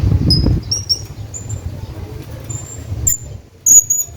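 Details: Hanging parrot calling his friend: scattered thin, very high whistled squeaks, short and level, with a louder double squeak near the end, over a steady low rumble.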